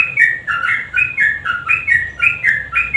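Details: Lively sooty-headed bulbul song, 'nguklik' style, used to coax silent birds into singing: clear, liquid whistled phrases of rising and dropping notes, repeated roughly twice a second with steady rhythm.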